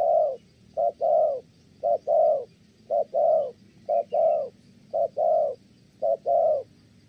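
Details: Spotted dove from Kon Tum, Vietnam, a good-voiced male cooing steadily before a female interrupts: low mellow hoots in short-long pairs, each pair about once a second, six pairs, quiet background.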